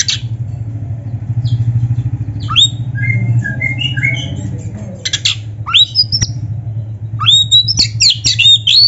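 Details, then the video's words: Oriental magpie-robin singing, a training recording for other birds: short whistled notes and buzzy upswept phrases in scattered bursts over a steady low droning hum, with quiet gaps between. "SUARA BURUNG KACER GACOR FULL MATERI"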